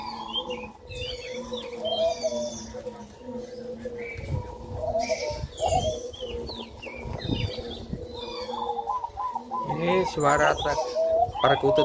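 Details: Male 'Gong'-type zebra dove in Solo, kept with a female red leopard-colour spotted dove for a crossbreeding experiment and said to be over-aroused, cooing in mid-pitched notes that end in a rapid run of repeated notes; high chirps from other birds throughout.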